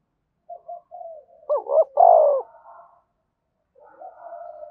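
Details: Spotted dove cooing to rouse a newly caught bird: one strong phrase of two short rising notes and a long falling coo, framed by quiet soft notes before and after.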